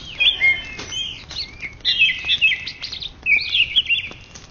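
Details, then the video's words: Champion greater green leafbird from an Indonesian contest, 2013–2014, giving bursts of busy high warbling and twittering whistles separated by short gaps. "Cucak Ijo Juara satu se Indonesia Raya 2013 2014"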